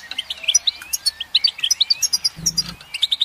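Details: Goldfinch song, a rapid run of bright, tinkling twittered notes with short upslurred whistles, about six notes a second, plus a brief low thump near the middle.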